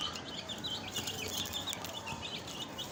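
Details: Many newly added chicks peep busily: shrill, short, downward-slurred notes come several per second from overlapping birds, with light scratching and rustling noises.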